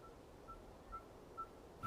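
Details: A small Red-fronted Tinkerbird, seen on a sunset safari drive, gives a monotonous series of clear, mid-pitched "tink" notes, about two a second, over a soft low rumble. A single calling bout can reach roughly 335 notes.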